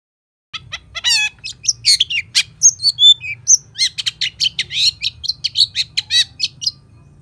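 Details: Long-tailed shrike in full varied song with sharp notes, played to lure and tutor other shrikes: after a brief silence, rising warbled trills give way to dense chattering of scratchy high notes and whistled slurs over a low hum.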